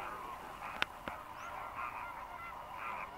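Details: Greater flamingos, a dry-season migrant flock fishing in the lagoons of Mannar Island, Sri Lanka, give a steady nasal goose-like honking chatter from many birds at once, with a couple of sharp knocks.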